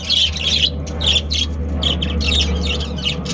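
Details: Budgerigar family, a breeding pair of Australian parrots, giving a run of sharp, high chirps in quick groups. A steady low mechanical hum runs underneath the whole time.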